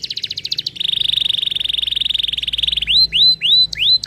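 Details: Canary song: a quick pulsed series, then a long, very fast level trill lasting about two seconds, followed by loud upswept whistled slurs repeated roughly twice a second.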